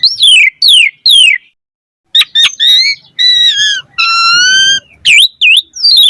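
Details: Full-voiced jalak suren (Asian pied starling) with rich fill-in variations: three loud descending whistles, a brief pause, then clicks and sustained pure, steady whistled tones ending in quick looping chirps.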